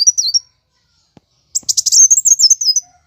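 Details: Plain sunbird (kowul) singing its aggressive fighting song, used as a lure: a brief high trill, a pause, then fast stuttering piercing notes that run into a long zigzag trill.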